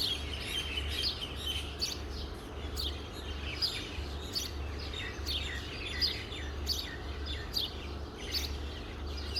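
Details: Morning birdsong: repeated sharp downward-sweeping chirps from several birds, each a second or so apart, over a constant low hum of environmental noise.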